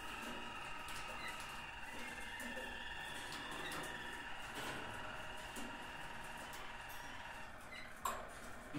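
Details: Harz Roller canaries, from the mountains of Germany, sing a continuous low, very deep, hollow rolling trill without break, recorded right beside them, with a sharp knock from the cage near the end.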